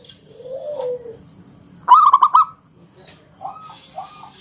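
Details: Local zebra dove singing 'ngalun kung bulat' as a lure for other doves: one loud, fast series of four or five clipped coos, framed by a soft drawn-out descending coo before and two quieter coos after.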